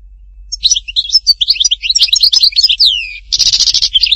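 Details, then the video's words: Goldfinch song of the Htatba type, Tipaza, Algeria: a fast run of tinkling, twittering notes ending in a long downward slur, then a dense buzzy rattle and more chirps. "chant chardonneret htatba tipaza حسون حطاطبة"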